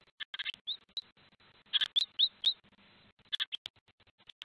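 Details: Great Tits at a nest in Théding, France, 26 April 2023, bringing food to newly hatched chicks: thin, high chirps in quick clusters, with a few short rising squeaks between bursts. Soft knocks and rustles underneath.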